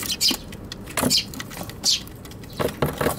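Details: Eurasian tree sparrows fighting over a box on a balcony, Tanabata 2021, recorded with an RX100M5A; a few loud downslurred high chirps and scuffling noises, with passing traffic sound.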